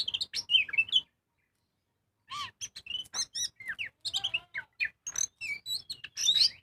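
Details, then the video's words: Singing kacer, or magpie-robin, from a lure recording to prompt other birds: a quick twittering phrase, a second of silence, then a varied series of clear whistles, chips and downslurred notes, increasingly busy toward the end. "Pancingan burung kacer gacor full ngobra"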